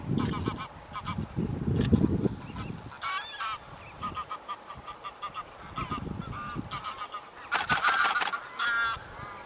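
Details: Greater white-fronted geese in winter at Wimpole Hall, Cambridgeshire, December 2020: a flock gives repeated yelping honks that overlap in uneven bursts, building to a dense cluster of calls near the end. Low rumbling noise is heard early on.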